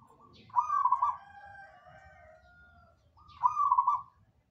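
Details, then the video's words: ['Zebra dove (perkutut) singing hard: a rolling trilled coo phrase, then a long drawn-out falling whistle-like tone for about two seconds, then another trilled coo phrase, over light low background noise.'] "KICAU BURUNG PERKUTUT GACORANNYA BUKAN MAIN"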